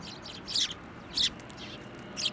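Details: Sparrows at a Tenmangu shrine in January 2024 come to a hand for food; three sharp, buzzy chirps sound about half a second apart over quiet background hiss.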